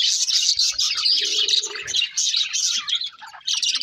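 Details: Several budgies sing while feeding: busy, high-pitched twittering and scratchy trills in quick bursts, a short lower hum in the middle, then a brief lull before the chatter resumes.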